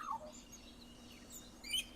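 Australian magpie giving a brief fluting, warbled phrase: a falling whistle, then after a pause a burst of high, bright notes over a low steady hum.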